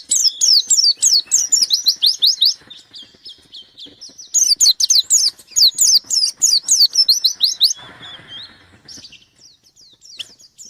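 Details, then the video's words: White-eye in full song while seeking a rival to challenge, pouring out fast series of sharp descending whistles in long loud runs, broken by quieter chatter and a brief rustle near the end. "Burung pleci gacor nyari lawan"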